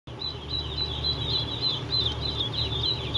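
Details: Three-day-old ducklings at a duck farm in Eastport, New York, giving a dense chorus of high, rapid peeping chirps that overlap continuously, over a steady low mechanical hum.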